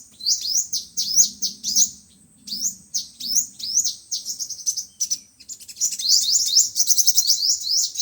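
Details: Sunbirds of the five-colour and seven-colour kinds, played back to trap birds: clusters of rising high chirps, ending in a fast dense twittering run, over a faint low murmur.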